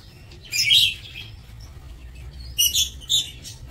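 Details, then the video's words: Lovebirds kept in an aviary, recorded 27 March 2024: two bursts of sharp, shrill chirps, one early and a cluster near the end, over a faint low hum. "Aviary Lovebirds"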